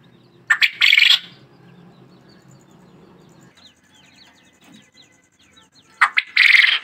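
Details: White quail, known locally as sufaid batair, giving two short harsh bursts of calling, one near the start and one near the end, separated by a quiet stretch with faint high chirps.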